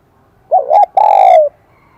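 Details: Spotted dove, a wild-caught bird, cooing in the high-pitched 'kim đồng' (brass bell) voice style: a short wavering two-part lead-in, then one long, sustained, ringing coo that slides slightly downward. The background is quiet.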